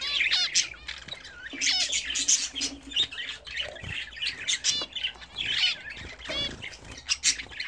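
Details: Home-bred pet budgerigars bathing indoors give dense, continuous chattering warbles with rapid rising and falling chirps, scratchy squawks and short clicks, overlapping one another throughout, with a faint low hum beneath.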